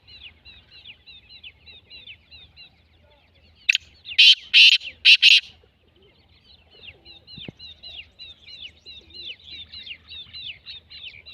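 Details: Black francolin producing one harsh, scraping phrase of four strong bursts. A constant, soft chorus of high chirps from small birds continues before and after.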